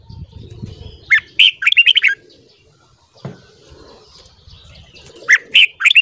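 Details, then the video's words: Red-whiskered bulbul in morning song, meant for song training: a rich, chattering phrase of quick whistled notes, a long silence broken by one soft note, then further bright notes starting again at the end. "Luyện giọng chào mào hót sáng .kích giọng chào mào hót hay"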